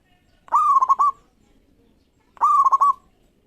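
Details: Local zebra dove (perkutut lokal) in strong voice, singing to provoke rivals into answering: two identical cooing phrases about two seconds apart, each a long soft note followed by three quick pulsed coos and a trailing tail, on a quiet background.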